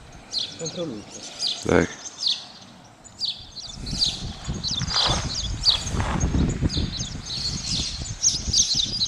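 Spotless starling chatter: a steady jumble of high, squeaky chirps and short whistles, with one sharp click early on and low rumbling noise underneath later.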